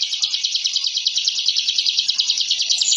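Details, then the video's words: Bar-winged prinia in fighting-style ngebren song, used to intimidate rivals: a short burst of dense, high, rapidly repeated buzzy notes, steady and unbroken for three seconds. "Suara Masteran Burung Ciblek Ngebren & Rapat Abis"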